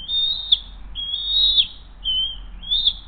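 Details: Bald eagles on the Hays nest camera, 7:43 am, June 20, 2023, mother feeding the eaglet after bringing a second fish. Four piercing, high whistles, sliding upward and ending with a brief accent, in quick succession.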